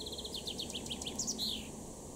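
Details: A male common chaffinch in a July 2022 garden in Weener, East Frisia, northwest Germany, sings one brisk phrase: a quick run of notes stepping down in pitch, ending in a bright, twisting flourish, over soft hiss.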